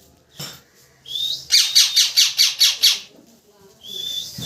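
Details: Parrot giving a rising whistle, then a fast series of about seven sharp, evenly spaced chirps, followed by another thin high whistle.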